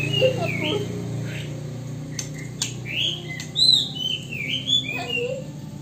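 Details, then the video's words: Magpie robin whose song carries copied Poksay Hongkong and Wambi phrases, acquired through bad company and scarce tutoring; scattered whistled notes and brief upward slurs, louder in the second half, over low droning hum and occasional clicks. "Burung Murai Isian Poksay Hongkong dan Wambi"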